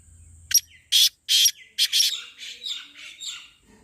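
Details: Black francolin voice, used to make a kept bird call: a clipped harsh note, two long grating rasps, a quick pair, then a fading series of softer buzzy notes.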